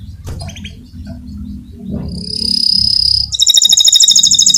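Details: Canary of fighter type with a rolling song used as a master for training others: after quiet background rumble, a steady high whistled trill starts, then a loud fast pulsing roll of repeated notes.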